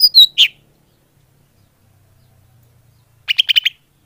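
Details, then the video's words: Lure call of the greater green leafbird, used to draw in birds: a few sharp, rising chirps, a quiet gap of nearly three seconds, then a quick run of five clipped notes. "Suara Pikat burung cucak hijau / leaf bird call"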